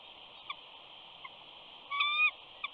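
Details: Mother eagle at a Big Bear nest on 14 April 2019, just flown in and softly whining to her mate to get a look at their chick; one thin, clear whistled whine with a slight rise over steady background hiss and faint ticks.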